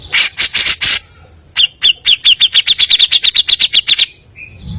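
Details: Lure recording of a fast, non-stop Grey-cheeked bulbul. Opens with four harsh, scratchy bursts, then a steady train of about sixteen clear, sharp downslurred notes at an even quick pace, ending on a short soft whistle.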